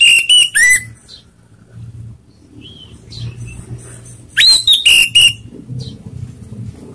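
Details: Orange-headed thrush song used as a lure to provoke rivals: stuttering clusters of loud, piercing whistles that swoop up and down. A short soft whistle falls in the middle of a quieter stretch of low background rumble.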